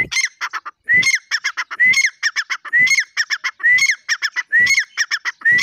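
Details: Grey francolin in full voice, its loud phrases coming roughly once a second, each a bright upslurred whistle followed by rapid raspy chattering notes, with faint low thumps beneath.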